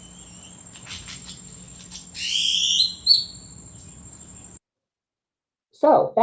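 Great-tailed Grackle gives a harsh, rising, whistled squeal, then a second squeaky note, over a steady electrical hum. A voice briefly speaks at the end.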